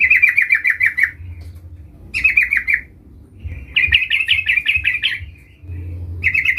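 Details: Sooty-headed bulbul (trucukan) calling to a rival: four quick chattering bursts of rapid buzzy notes separated by short gaps, the longest near the end, over low rumbling noise.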